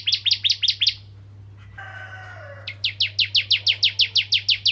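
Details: Ciblek kristal, the bar-winged prinia, singing to prompt other prinias: a short burst of doubled chips, a pause with a faint low tonal sound, then a steady string of downslurred high notes.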